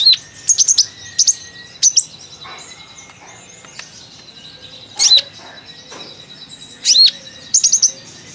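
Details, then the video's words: Sunbird (kolibri ninja) with sparse bursts of high chirps and sharply dropping whistled notes, separated by quiet gaps of one to three seconds, over a soft background hiss. "Kolibri Ninja||Konin ceriwis isian keluar"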